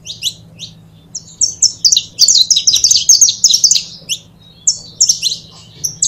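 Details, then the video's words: Saffron finch pair, kept birds, singing: rapid, high-pitched chirps and short buzzy trills in bursts, densest in the middle, with a steady low hum beneath. "Casal de Canário da Terra Bom Para Foguear!!!"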